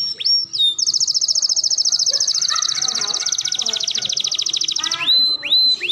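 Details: Melodious canary song meant as a tutor recording for young canaries: opening whistled slurs, then a long, even, very rapid buzzy trill lasting about four seconds, ending in rising whistles.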